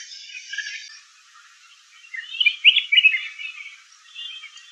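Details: Red-whiskered bulbul: a soft, buzzy opening, then a loud burst of rapid, bright whistled chirps with sliding notes, fading to quieter chatter.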